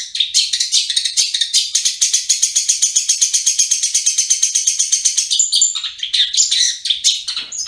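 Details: Long-tailed shrike in full song, ngriwik style: a fast, harsh, high rattling chatter of dense scratchy notes, about six per second, running continuously before breaking into shorter, uneven squeaky bursts.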